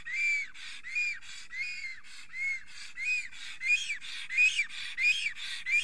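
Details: At his nest in Estonia on a late-April morning, a trembling male black stork sings as a female lingers close. Curved whistles and hissy inhalations alternate rapidly, growing louder and higher toward the end.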